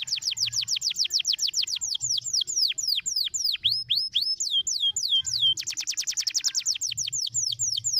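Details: Canary song meant to stimulate other canaries to sing; fast rolls of steeply falling whistled notes, about four per second, changing to a quicker, denser trill after five and a half seconds, with a faint low hum beneath.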